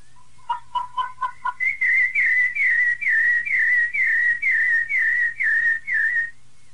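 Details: Piedade-style song of a rufous-bellied thrush, used to train young birds: a few quick clipped notes open into a run of about ten similar slurred whistles repeated rapidly at an even pitch, over a faint low hum.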